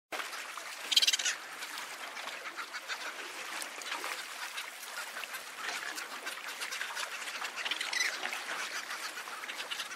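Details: Cape petrels calling and singing: a dense, continuous chatter of harsh, rapid cackling notes from many birds, with a louder burst early on.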